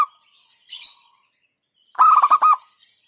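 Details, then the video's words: Local zebra dove (perkutut) delivering a single loud, rolling hentakan phrase of five rapid pulsed beats, preceded by faint soft notes and a steady high-pitched tone in the background. "Hentakan Burung Perkutut LOKAL Suaranya Berkelas"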